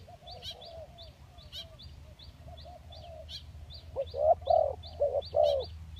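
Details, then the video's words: A spotted dove, used as a lure call, gives soft, low cooing phrases that swell louder toward the end, while a thin, high chirping repeats steadily behind it. "Pikat Tekukur Kacuk dan Tekukur Kampung"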